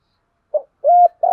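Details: Spotted dove coos meant to lure and excite kept doves: a soft short note, a steady sustained coo, then another low coo beginning.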